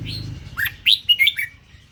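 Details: A red-whiskered bulbul of the Indo strain delivers a brief phrase of four or five bright, slurred whistles, rising then dropping, after a faint low hum at the start.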